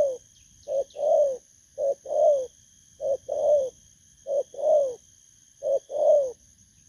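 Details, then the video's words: A freshly wild-caught spotted dove, called thổ cấn, coos at a trapping decoy. A short note is followed by a longer, rounded, descending hoot, and the pair repeats five times at an even pace. A faint high hum lies underneath. "Kèo Thu phục Thổ cấn Bầu"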